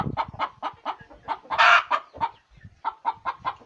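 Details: Chicken cackling while laying an egg: string of brisk clucks around one loud, broad squawk, with a brief low thump at the start.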